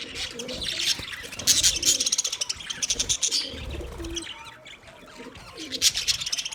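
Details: Budgerigars chirping for a lonely bird: busy high warbling chatter with scratchy rasping notes, a few short whistled sweeps, and soft low cooing in the background.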